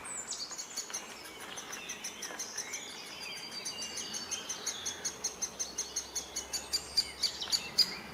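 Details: The last great spotted woodpecker nestling left in the nest, with both parents nearby, gives high, chattering calls in a quickening series, nearly two per second, over a faint background hiss.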